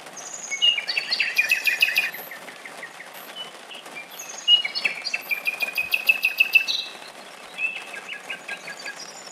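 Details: Common nightingales recorded inside a forest in summer, singing varied phrases of rapid repeated notes, high whistles and brisk trills with short pauses, over the steady hiss of rain falling during the recording.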